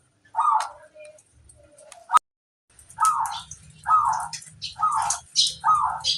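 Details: Zebra dove, a local master singer, repeats short rolling coos about once a second against a low background hum and some sharp clicks.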